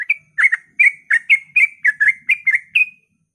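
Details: Fast ropel phrase of a sooty-headed bulbul at dawn, used to provoke other bulbuls into song: about a dozen bright, chirpy whistled notes in quick succession, then silence.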